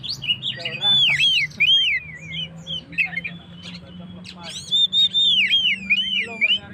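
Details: Oriental magpie-robin singing to provoke stressed birds: sweet, looping whistled notes repeated in bursts, separated by short pauses, with a faint low hum underneath.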